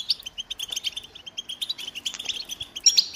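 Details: American goldfinch song: rapid twittering, chirpy high notes in quick irregular bursts, with a few brighter squeaky notes near the end and little background noise.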